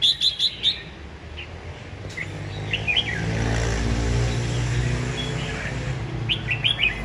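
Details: Caged Red-whiskered Bulbul, kept close to a year and already taken to café singing meets, singing vigorously: short bursts of bright, rapid chirping notes at the start and end, separated by a quieter stretch, over low rumbling background noise.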